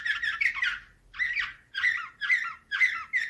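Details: Canary delivering Slavujar nightingale-style song in clipped, rich warbled phrases, each about half a second long, separated by short silences, sounding harsh and chattering.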